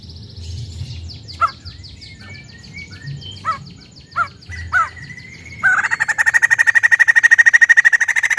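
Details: White-crested laughingthrush from a private collection: scattered sharp clicks and high notes, then a loud, rapid, steady run of repeated ringing notes lasting almost three seconds.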